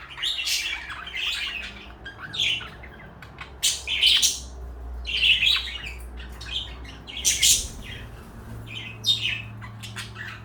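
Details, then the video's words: Two parakeets, a blue one and a light yellow one kept as companions, chatter in bright, scratchy chirps and warbles, bursting every second or two with brief pauses, against a faint low indoor hum. "Beautiful parakeets."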